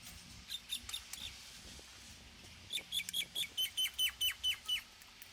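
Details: Common myna (Acridotheres tristis) giving two bursts of short, high squeaky notes. A brief cluster comes first, then a steady run of about ten evenly spaced chirps after a pause, over quiet background hiss.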